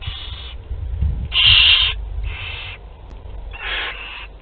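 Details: Barn owl chicks aged two to twelve days at a group meal, Théding, France, spring 2021; near-continuous harsh hissing screeches, one loud central burst, with low thumping and rustling in the nest.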